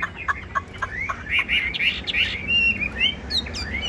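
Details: Caged Chinese hwamei with a varied phrase: a few short clipped notes, then rising slurred whistles and a burst of rapid high twittering near the end.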